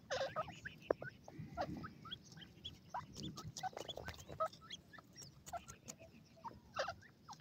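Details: Grey francolin chicks at play give a busy scatter of short sharp peeps and chirps, some slurred, overlapping one another above a low rumbling background.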